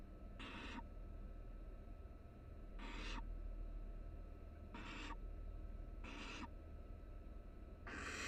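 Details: Barn owl nestlings, three together inside a University of Florida nest box in Florida, make short breathy hisses repeated about every one to two seconds, five in all, against a constant low background hum.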